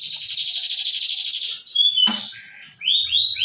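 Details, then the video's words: Atlantic canary song played as a lure to get a silent canary singing: a fast, even high trill for about a second and a half, then varied whistled notes and short rising slurred phrases. "Pancingan kenari mandek"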